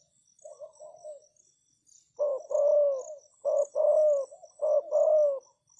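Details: Decoy spotted dove calling to attract wild doves: a soft wavering coo, then three loud paired coos, each a brief note followed by a drawn-out descending hoot, over faint continuous high-pitched insect chirping.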